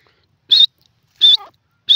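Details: Grey francolin giving short, sharp, high squeaky notes, two clear ones about three-quarters of a second apart and a third starting at the end, with silence between.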